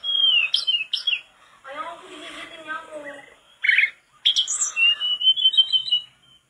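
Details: Mangrove blue flycatcher (tledekan bakau) in lively song for tutoring caged flycatchers: falling whistles and chips, a burst of lower harsh chattering notes, then a sustained, warbling high whistle.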